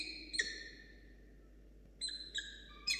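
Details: Hungry falcon chick at a Charles Sturt University nest camera, 21/10, when the adult arrives carrying a starling that goes untaken and then leaves; loud, drawn-out, strained whining cries with rich overtones, a sharp one followed by two more after a pause.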